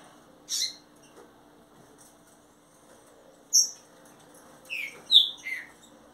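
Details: Captive Green-winged saltator giving a brief burst of falling whistled notes near the end, after scattered high thin chips from another caged bird and quiet pauses.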